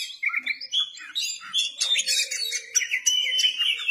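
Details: Kacer (Oriental magpie-robin) in vigorous, continuous 'gacor ngeplay' song while opening its tail: clear whistled notes sliding up and down, then dense scratchy chatter and sustained high trills.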